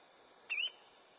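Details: Osprey call: one short, high, thin whistle that rises slightly, against a quiet, hissy background.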